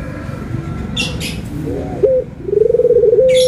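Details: Barbary dove anggungan cooing, white and brown birds compared: after soft murmurs and a few high chirps, a short clipped coo, then a rapid throbbing trill ending in a level sustained note.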